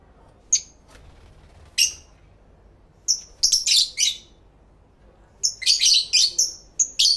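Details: Pet lovebirds indoors, recently acquired, calling to each other, recorded in stereo with two external microphones on a camera: shrill, high chirps in short scattered bursts, then rapid overlapping clusters of sharp tweets near the end.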